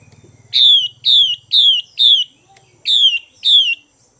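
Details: Caged female Chinese hwamei calling to rouse males: four loud downslurred whistles at even spacing, a short break, then two more, with a low buzzing hum audible at the start.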